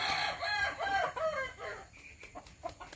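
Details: Kukuak Balenggek rooster at a practice crowing contest in Sawahlunto. A stepped crow of quick wavering syllables fills the first two seconds, followed by fainter scattered calls and clicks.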